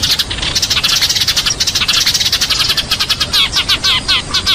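Eurasian tree sparrows chatter in a fast, harsh, continuous run of overlapping chirps as they fight, with sharper metallic notes near the end.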